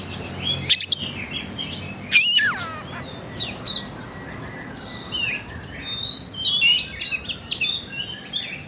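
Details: Oriental magpie-robin song used as a lure to stimulate birds: varied chirps, downward-slurred whistles and twittering phrases with a few sharp clicks.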